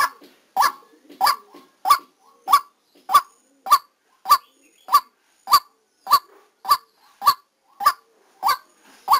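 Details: Decoy white-breasted waterhen recorded live at a trapping session. Around sixteen rough, croaking notes follow one another at a brisk, fairly even rhythm, with soft notes between.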